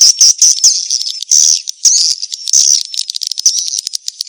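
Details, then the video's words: Swiftlet mating-chase lure: a thick, high chorus of buzzy, twittering calls with thin whistled notes and rattling bursts, many birds overlapping without pause. "SUARA PANGGIL BURUNG WALET‼️ SP KEJAR KAWIN"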